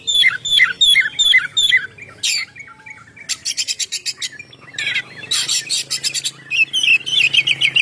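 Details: Vigorous ngeplong song of an oriental magpie-robin, used to lure other birds: a quick series of falling whistled notes, then dry buzzy rattles and harsh grating phrases, ending in rapid warbled whistles.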